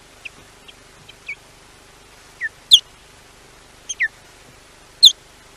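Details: Wildlife camera at Llyn Clywedog, Wales: an osprey warns off an intruder with high, thin descending whistles. Soft notes at first build to louder sharp yelps, spaced unevenly over a faint hum.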